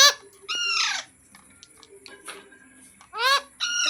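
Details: Pet parrot giving loud, drawn-out descending calls in bursts, with quieter clicks and murmurs between them in a small room.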